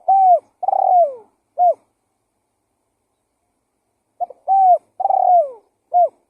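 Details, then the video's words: Two cooing phrases from a spotted dove used as a lure call, separated by a silent gap of about two and a half seconds. Each phrase runs level coo, long rolling descending coo, short final coo. "Suara Pikat Burung Tekukur Gacor"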